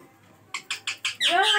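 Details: Ringneck parrot, a talking and dancing pet, gives four quick harsh pulses followed by a longer rasping squawk rich in overtones.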